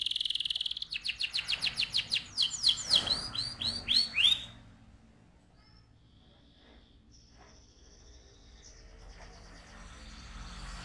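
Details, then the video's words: AF canary rolling song, loud: a rapid run of repeated notes quickening into sweeping whistled slurs for about four seconds, then near quiet with faint distant chirps. "KENARI AF GACOR, NGEROL VOLUME KERAS"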